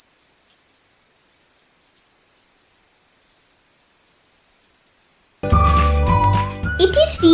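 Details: Sri Lanka Whistling-Thrush (Myophonus blighi), a shy endemic of Sri Lanka's highland forests near water, gives two thin, very high whistled phrases, each about a second and a half, separated by a pause, then music takes over.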